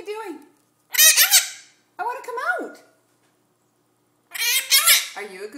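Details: Pet Hahn's macaw talking at length indoors: squawky, voice-like phrases with rising and falling tones in three bursts, separated by short pauses, with a steady low hum in the room.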